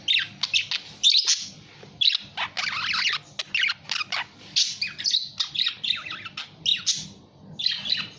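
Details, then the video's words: Budgerigar chattering steadily, a busy stream of short scratchy chirps, squawks and warbled notes with brief pauses, over a faint low hum. "SUARA BURUNG PARKIT"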